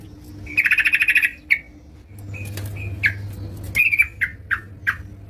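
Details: Yellow-vented bulbul singing actively indoors at home: a rapid buzzy trill of many quick pulses, a sharp chip, then scattered bubbly chirps and slurred notes, over a low steady hum.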